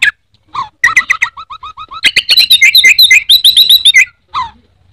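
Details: Song of an Orange-headed thrush, called anis merah in Indonesia where it is widely kept, made of rapid repeated whistled notes about four per second, building into dense high trilling phrases before a final short note.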